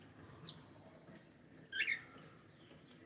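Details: Cockatiel gives a thin, high, quick note, then about a second later a louder, scratchy, downward-sliding chirp, against soft background noise.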